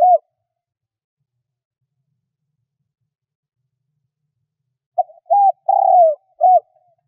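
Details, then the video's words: Spotted dove kept as a decoy to call in wild doves. After a brief coo at the start comes a long silence, then one full phrase: a soft note, a steady coo, a long descending coo and a clipped final coo. "Tiếng cu gáy mồi gáy gọi hay kích bổi nhanh nổi"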